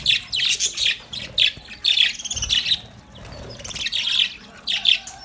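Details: Pet budgerigars, happy and playing in their cage, give bright, busy chirps and warbles in quick overlapping bursts, with a few brief pauses between flurries of chatter.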